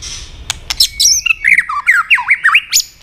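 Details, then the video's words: White-rumped shama pushed into fighting song: sharp clicks open, then a quick run of looping, bouncing whistled notes of shifting pitch, nearly a dozen in three seconds. "kích lửa cho chòe lửa hót"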